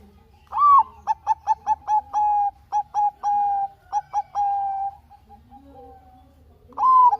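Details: Zebra dove of the Bangkok type, a lure song to make lazy doves sing: a rising opening coo, then a run of short bubbly staccato notes ending in drawn-out level coos, with a second phrase starting at the end.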